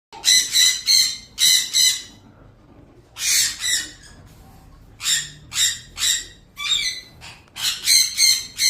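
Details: Ring-necked parrot giving raw, harsh squawking calls in bursts of rapid repeated notes, about three per second, separated by short pauses.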